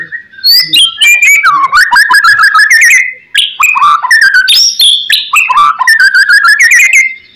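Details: White-rumped shama master song for prompting other shamas to reply: near-continuous loud singing of fast rattling trills and sliding whistles, broken by one short pause midway.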